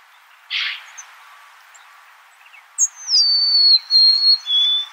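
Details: Golden-crowned sparrow: after a soft, breathy note and a pause, a bright whistle starts high and slides down into a long, steady tone, then drops once more to a lower held note.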